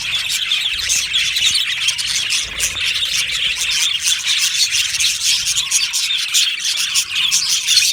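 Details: Aviary of budgies gives continuous soft chirping and warbling, many thin high notes blending into an even chatter that grows slightly busier toward the end.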